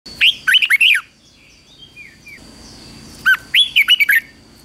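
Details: Red-whiskered bulbul singing in morning training for competition singing, 2024: two loud phrases about three seconds apart, each a short sharp note then a quick run of bright warbled, wavering whistles, over a steady high whine.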